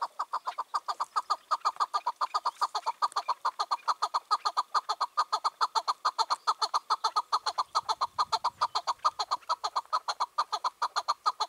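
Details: Long bout from a released wild chukar partridge, aged five or six, calling on a June 2023 evening: an unbroken, regular string of clipped chuck notes, roughly two and a half per second, with a brief low rumble partway.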